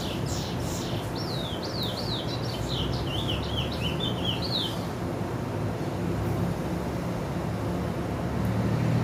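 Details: Chestnut-bellied seed finch (curió), white-bearded type: a burst of fast zigzagging whistled notes in the first half, then the bird falls silent while a heavy low rumble and hiss continue.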